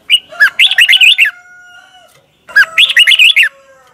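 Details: Two fast phrases of about nine looping, whistled notes, spaced two and a half seconds apart, form the doubled song of a caged Thai Red-whiskered Bulbul. Thin steady tones linger between them.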